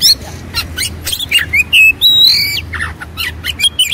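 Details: Agitated white-rumped shama in fighting mode: harsh rasping bursts, a long sustained flat whistle and rapid sweeping notes, loud and close.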